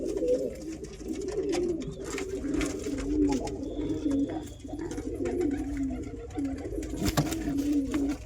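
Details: Real pigeon giving a steady run of low, burbling coos that waver up and down, with short pauses, a brief faint whistle-like tone and a sharp knock near the end, indoors.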